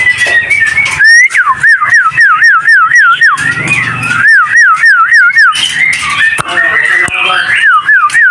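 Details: Captive white-rumped shama at a bird breeding farm in Tangerang, Indonesia, singing loud, clear whistled notes that loop up and down, about three per second in short bursts, over a man talking and other birds chattering behind.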